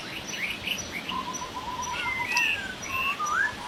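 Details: Wild masked laughingthrush, with a quick series of short even notes followed by longer slurred whistles that glide up and down, over a constant hiss of natural background.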